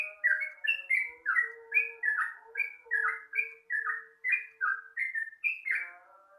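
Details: Sooty-headed bulbul singing at dawn, used as a lure: bubbly, liquid phrases of two or three quick falling notes, repeated steadily about twice a second over a faint low hum.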